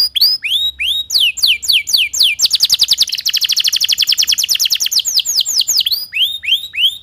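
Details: Timbrado canary sings curving whistles that run into a fast, dense trill of repeated notes, then returns to slower, separate swooping phrases.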